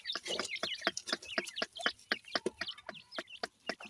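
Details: Several grey francolin chicks, known locally as dakhni teetar, calling as they feed: quick high chirps and slurred peeps about twice a second, interleaved with crisp tapping clicks.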